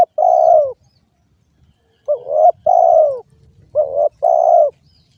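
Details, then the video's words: Spotted dove, called derkuku, cooing in paired notes, a short rising coo then a longer falling one, repeated; faint rustling and low knocks underneath. "suara burung derkuku"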